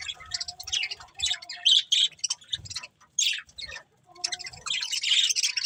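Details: Budgerigars of a breeding pair chattering in quick bursts of bright, scratchy chirps, broken by short pauses before a dense closing flurry.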